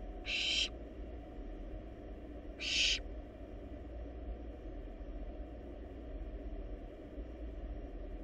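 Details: Wild barn owl nestlings in a nest box, feeding on a large rabbit: two brief, fainter hissing screeches early on, then only a louder low rumbling background.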